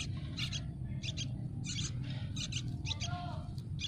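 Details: Hungry Yellow-vented bulbul nestlings begging for food in a nest on a tree: high, scratchy chirps in quick pairs and short bursts, spaced irregularly, over a steady low rumbling hum.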